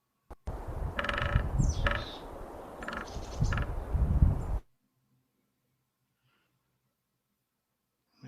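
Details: A sapsucker drums in rapid, uneven bursts of taps over a low rumble, while a mountain chickadee calls at the same time.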